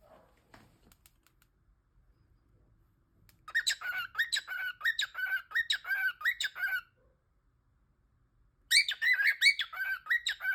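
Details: A pet cockatiel (Nymphicus hollandicus), likened to an alarm clock, gives bursts of rapid, repeated squeaky chirps, several per second, with a pause between bouts.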